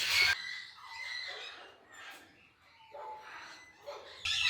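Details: Conures (South American parrots) at a Belgian parrot sanctuary give harsh, raspy squawks in two loud bursts, one at the start and one at the end, with softer chatter from other parrots in between.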